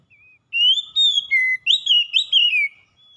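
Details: Gacor song of an oriental magpie-robin, a once-reluctant singer now calling nonstop: a soft short whistle, then rising whistled slurs, a lower steady note and a run of quick varied clear notes.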